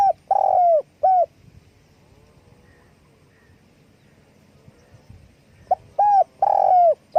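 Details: Spotted dove calling with wing flapping. A rolling, burry coo and a shorter coo open the recording, then a quiet stretch of faint background murmur, before another phrase of mellow coos and a long descending burred coo.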